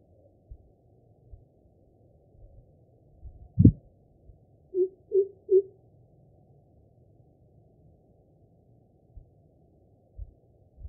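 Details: Greater Coucal giving a Type 2 call: three deep, hollow, booming hoots in quick succession after a single soft thump, over a quiet low hum; the call is thought to be a territorial display.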